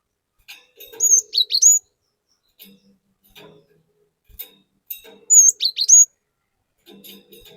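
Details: Lure song of a cinereous tit meant to excite other tits: two phrases of a long high whistle followed by rapid down-slurred notes, with a soft low hum and faint clicks in the background.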